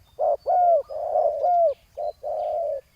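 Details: Decoy spotted dove on the ground calling against a rival: a rapid run of low throaty coos, two carrying a bright arched overtone, ending in a short note and a long purring coo.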